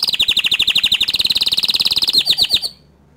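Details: Green canary performing a tutor song, a long, fast rolling trill of bright chirping notes that slows slightly near the end and stops abruptly, followed by quiet.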